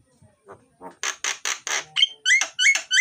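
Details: Myna (jalak) in loud, full song used to coax lazy mynas into singing: quiet low notes build into a run of harsh broadband rasping bursts, then bright rising whistled notes repeated about three times a second.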